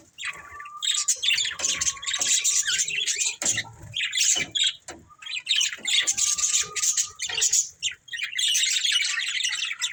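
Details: Two budgerigars, a breeding pair, chatter in long scratchy warbled runs punctuated by clear drawn-out whistles, sharp clicks and brief lulls, the chirping loud and nearly nonstop.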